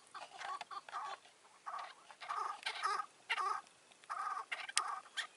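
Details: Chukar partridge calling during a May 2024 decoy hunt in which a wary old wild bird kept away from the caged decoy; short chuckling bursts of grouped notes come in clusters with brief pauses, over light background noise.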